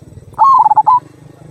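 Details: Local zebra dove's kung song, a lure for other birds: one loud cooing phrase of rapid stuttering notes that waver up and down, then a final rising coo, over faint low rumble.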